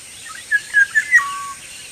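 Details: Black-naped oriole in the wild, singing freely: four short, liquid whistled notes in quick succession, ending in a sliding note that drops and levels off, with constant high-pitched background hiss.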